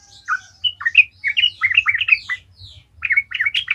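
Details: Sooty-headed bulbul singing vigorously, used as a lure to get other bulbuls singing: a busy run of short chirpy and slurred notes, some rising and some falling, in quick uneven bursts with brief pauses.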